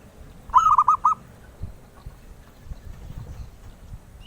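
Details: Zebra dove, a melodious bird sought after by collectors. One crisp phrase of rapid, bubbling coos is followed by low background rumbling.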